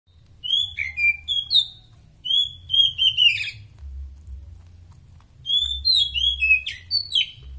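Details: Oriental magpie-robin in top singing form, a varied song of clear whistled phrases, slurred downward notes and bright chips, delivered in bursts separated by short pauses, with a faint low hum beneath.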